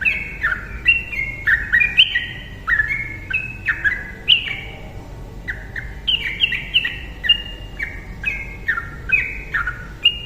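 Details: Yellow-vented bulbul in lively full song, used as a lure to make silent birds sing: overlapping bright, clipped whistled notes that step up and down in a constant chattering flow, with faint low background hum.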